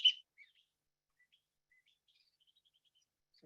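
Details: A Western Kingbird's dawn song, sung early before light, with a rubber-ducky quality, opens with a sharp, squeaky high note, then trails into faint, scattered chips and twitters. A low thump sounds at the end.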